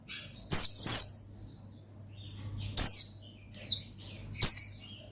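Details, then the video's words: Oriental white-eye in gacor ngalas style, sung to challenge a rival: sharp high downward-sliding chirps in clusters, separated by quiet gaps, over a soft low electrical hum. "Gacor Ngalas Manggil Lawan Perangsang Burung Pleci"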